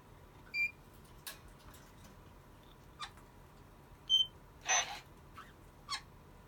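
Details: Male White-bellied caique, a pet whose owner wants to find him a mate soon, giving short, high squeaks and clipped whistles at irregular intervals, with one louder harsh screech midway, over a faint steady indoor hum.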